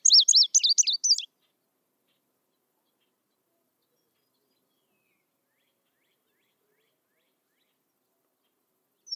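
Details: Indigo Bunting (Passerina cyanea), a summer singer of hedgerows, forest edges and savanna-like habitats, gives a quick burst of high, sweet notes in two-note phrases, rising and falling, each pair slightly descending and changing tone, for just over a second.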